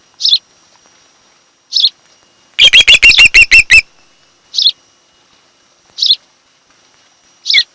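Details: Osprey at a nest on Kent Island, Maryland, in the afternoon of 26 July 2018. Single high chirps are spaced more than a second apart, broken by a quick burst of about eight whistled notes.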